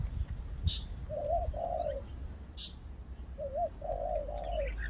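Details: Spotted dove used for luring, cooing low and mellow: a short wavering note, then a longer descending coo, in two phrases. Constant low rumbling background and occasional faint high chirps.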